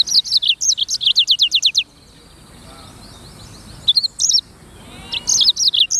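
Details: Singing Black-throated canary, locally sanger: a brisk trill of high descending whistles lasting under two seconds, a quiet gap with soft background twitter, then short clusters of sharp high notes.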